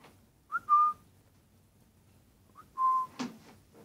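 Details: A cockatiel at play gives two clear whistles, each a quick upward flick into a steady mid-pitched tone.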